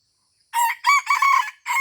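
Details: Junglefowl lured at Taman Rusa in Aceh gives a rasping crow of three quick segments followed by the start of a fourth, cut off at the end.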